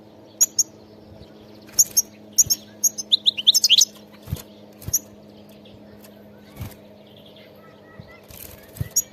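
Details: Wild European goldfinch giving scattered sharp chirps and a short run of rapid twittering notes, then more isolated chirps, with soft knocks and a low background hum.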